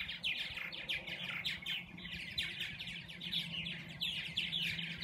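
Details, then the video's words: Dozens of purple martins busy feeding and nesting in an open back-yard area near Lake Balboa chatter continuously: rich, gurgling, overlapping chirps and rolling warbles, with a low steady hum underneath. "Purple Martins"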